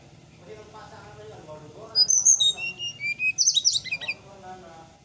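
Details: Brown-chested jungle flycatcher in the morning: after a soft low murmur, a quick series of piercing whistled notes slides downward, then ends in a dense, scratchy high jumble.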